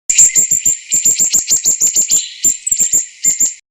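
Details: Red-billed firefinch (Lagonosticta senegala), call.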